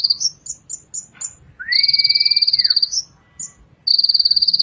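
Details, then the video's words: Ninja sunbird in song: a run of separate high whistled notes, then a long rapid buzzing trill over a lower drawn-out whistle, ending in another fast high trill. "suara Kolibri ninja terbaru"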